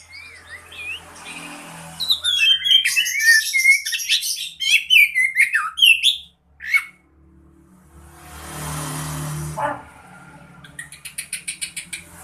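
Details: Oriental magpie-robin in relaxed song: a varied run of clear, swooping whistles and quick trills, followed by a hissing rush and a burst of rapid clicking notes.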